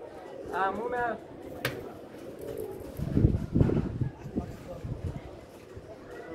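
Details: Pigeon coos, low and throaty, with a couple of pulsed rolling notes early on, then deeper cooing mid-clip, over background murmur and a voice.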